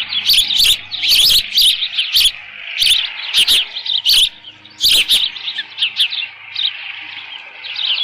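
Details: Osprey at the nest, Dunrovin Ranch, 13 June 2018, 11:37 AM, with leftover fish present. Bursts of shrill, repeated chirps come first and thin out toward the end, leaving a quieter background.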